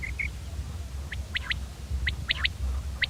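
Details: Common quail giving quieter triple-note calls, a single clipped note followed by a rapid pair, repeated about every second over low rumbling background noise, with two brief chirps at the start.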